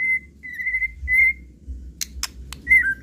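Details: White-rumped shama in an unrepeated lure recording: long pure level whistles drawn out one after another, then three sharp clicks and a final whistle slurring downward, in near silence.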